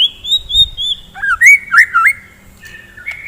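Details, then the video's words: Morning song of a white-rumped shama, played to stir up fighter shamas: a long steady high whistle, then looping, wavering whistled notes and a lower level tone. "KICAUAN GACOR,, DI PAGI HARI,, MEMBANGKITKAN MURAI BATU GACOR FIGHTER"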